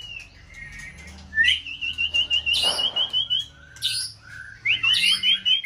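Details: Caged white-rumped shama in peak season sings a wavering, warbled whistle made of rapid pulsed notes at even pitch, repeated in bursts. Soft buzzy notes fill the spaces between.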